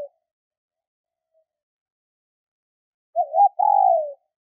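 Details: Female spotted dove giving a call meant to excite males. A long quiet stretch precedes a single low phrase: a short wavering double coo, then a sustained coo sliding gently downward. No other sounds.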